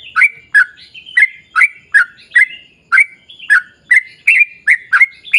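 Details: Sooty-headed bulbul giving a 'ropel panjang' long rapid song meant to lure other bulbuls into singing: quick bright chirps at a little over two per second, some slurred upward, against a quiet background.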